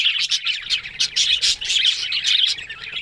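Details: Budgerigars talking, October 1: pulsing bursts of bright chirps and warbling squeaks, roughly several per second, forming a rhythmic, busy chatter.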